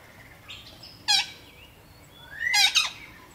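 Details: Red-breasted parakeets from a mated pair that has occupied a nest box in a village in northeastern Thailand: two loud, harsh, ringing squawks about one and a half seconds apart, the second longer and doubled, with faint softer notes between.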